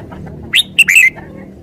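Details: Red-whiskered bulbul with three quick bright notes, the last a longer rolling warble, set against a faint low hum.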